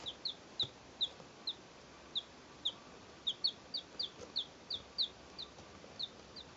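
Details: Two-day-old chicks, three of them, recorded in 2012: a steady run of about seventeen sharp, high, falling peeps, roughly two or three per second, some doubled, over a quiet background hiss.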